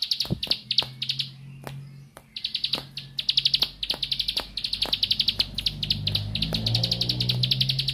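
A bar-winged prinia sings in fast bursts of high, sharp, repeated notes with brief pauses between. Clicks and a low hum sit underneath.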